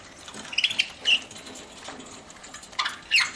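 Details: Pet budgerigar chirps while eating: a few clipped high notes early, a bright squeaky chirp at one second, and two more near the end, over a soft hiss.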